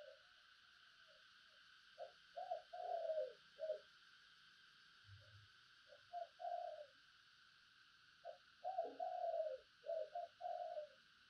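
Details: Spotted dove used as a decoy, cooing in two bursts of soft, hollow, slightly rough notes several seconds apart, over a steady hiss.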